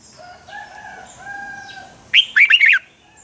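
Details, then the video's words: Red-whiskered bulbul performing its competitive morning song, used to train birds and urge them to sing; a soft, drawn-out tonal sound first, then one loud, rapid phrase of looping, whistled notes. "Luyện chào mào hót sáng hay Dùng để thúc bổi căng hót, ép giọng rất hay, chào mào hót đấu"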